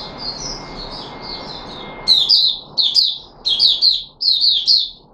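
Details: Captive red-whiskered bulbul, called Puteh Raja, recorded 13 April 2021. Soft warbling gives way to four loud, punchy bursts of rich whistled notes, each about half a second long.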